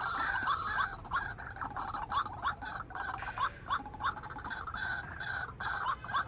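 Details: Caged white-breasted waterhen acting as a trapping decoy, luring wild waterhens: a loud, continuous chain of throaty notes, about three per second, each with a quick pitch wobble, going on without a break.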